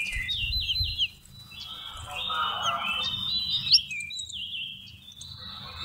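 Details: Seychelles magpie-robin singing, recorded November 2016 and used as a trapping lure: rapid series of downslurred whistles and sweeping notes, several repeated in quick succession, over a soft murmuring background and low rumble.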